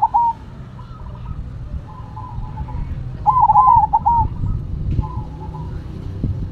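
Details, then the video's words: Zebra doves, a Cemani and a Silver variety, both singing actively against each other. Soft mid-pitched cooing phrases recur, with the loudest a rapid rolling, trilled coo near the middle, then a shorter phrase later, over steady low rumbling background noise. "Perkutut Cemani Gacor Vs Silver Gacor"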